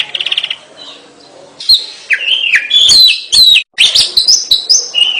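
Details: Kacer (Oriental magpie-robin) in full song: a short buzzy stuttered phrase, a pause, then loud varied whistles, slurred rising and falling notes and harsh scratchy bursts delivered in a rich, rapid medley.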